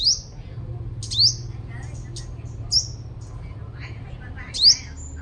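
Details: Sunbird lure bird from Long Thành, Đồng Nai, Vietnam: four sharp, high rising whistled notes spaced irregularly over five seconds, with faint chips and steady low hum beneath.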